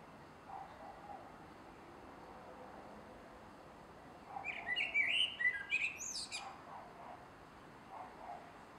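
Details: Male common blackbird singing at dusk in a garden on 3 July 2016: after quiet background hiss, one mellow warbled phrase around mid-pitch, ending in a higher squeaky twitter, lasting about two seconds.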